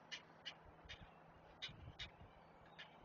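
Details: Great blue heron chicks being fed on their Chesapeake nest give harsh, raspy begging notes, six in three seconds at irregular spacing, over low rumbling and rustling.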